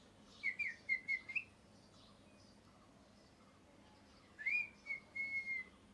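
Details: Pet parrot in molt chirps quietly in two bursts: wavering whistled notes, then a rising chirp running into a level whistle, against a faint background hiss.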